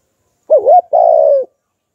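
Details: Spotted dove, a decoy bird with the 'Hạp Bổi' voice style, calling to lure wild doves. Gives one low, wavering double coo followed by a longer, steady hooted note. The background is silent.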